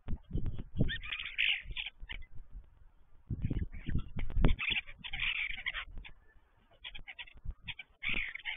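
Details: Five common starlings visiting a still-empty stork nest in Lublewo, Poland, give bursts of harsh, grating chatter with squeaky notes every few seconds, over steady low rumbling and thumping noise.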